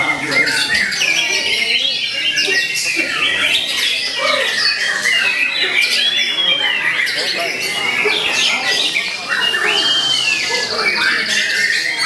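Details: Young white-rumped shama, eight to nine months old and a competition bird, singing a dense, loud stream of varied whistles, rising and falling sweeps and harsh squawky notes, almost without pause.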